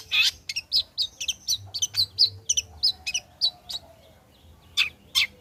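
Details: Long-tailed shrike singing after molting, used as lure sound for shrikes: a rhythmic run of short, bright chirping notes with a scratchy edge, about three a second, trailing off before a few final loud chips.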